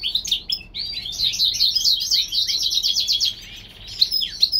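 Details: A California-bred European goldfinch hybrid sings in springtime. Scattered sharp notes lead into a long rapid rattling trill that softens into a thin buzz, followed by a few chirps.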